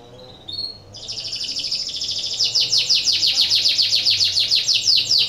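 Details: Breeding canary singing to stimulate other canaries: a brief soft note, then a long high buzzy trill that becomes a regular rhythmic roll of rapid descending notes, about three per second.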